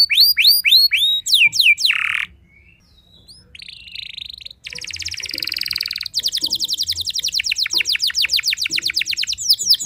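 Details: Canary singing to stir rival canaries into answering: bright descending sweeps, a brief harsh rasp, a quiet pause, then a long fast trill of repeated high notes running on for several seconds.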